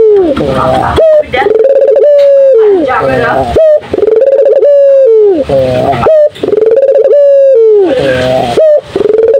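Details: A turtle dove sings vigorously and repeatedly, each phrase a rising opening note followed by long steady coos that slide down at the close, about one phrase every two and a half seconds.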